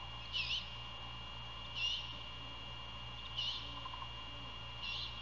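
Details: Raspy, breathy screeches from a great horned owl nest near Savannah, Georgia, during a nighttime prey handover and feeding, 1:38 AM, 27 February 2022. Four short harsh bursts come at roughly 1.5-second intervals above a constant mechanical hum.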